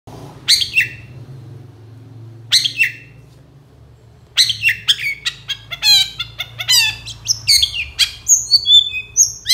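Long-tailed shrike: two harsh, high chattering bursts, then a fast run of varied scratchy notes, trills and thin whistles, likely mimicry. A low hum runs underneath.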